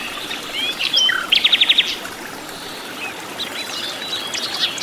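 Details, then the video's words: Flycatcher (sikatan londo) in the wild, in its natural habitat, singing busily: a few sweeping whistled notes, then a quick burst of six bright chips, followed by softer scattered high calls. "KICAU BURUNG SIKATAN LONDO GACOR DI ALAM LIAR"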